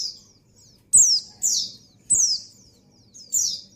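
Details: Breeding female white-eye calls to attract a male: four sharp, very high descending chirps, each with a quick slurred tail, roughly half a second apart with brief gaps, faint low hum beneath.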